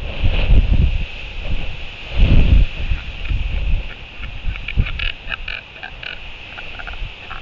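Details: Royal albatross chick in New Zealand, 25 February 2023, around feeding, gives low, grunting bursts in irregular runs, with a few sharp clacks, over a steady rumble of wind or surf.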